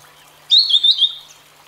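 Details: A single high, clear phrase from a grey-headed canary-flycatcher, an Asian bird, with quick slurred notes rising and falling in pitch, fading at the end.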